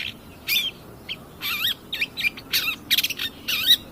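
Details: Long-tailed shrike, cendet pastol style, singing energetically in a lure recording for training other birds. Wavering warbled phrases with slurred rising and falling notes, harsh rasps and a quick rattle.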